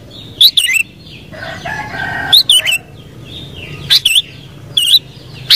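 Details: Sooty-headed bulbul giving loud, bubbly whistled phrases roughly every one to one and a half seconds, with a lower, drawn-out call and faint bird chatter in between.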